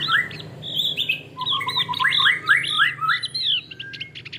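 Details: Loud, lively song from a male Javan grey-throated white-eye: repeated rising and falling whistled phrases delivered in quick succession, sweet and slightly squeaky, against a steady low hum.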